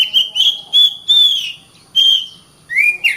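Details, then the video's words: Oriental magpie-robin (kacer) in nonstop 'gacor' singing, used to train competition birds: clear whistled phrases around a steady pitch, slurred and slightly rising, in bursts separated by short pauses, ending with an upward-sweeping note. "BURUNG KACER GACOR RAPAT"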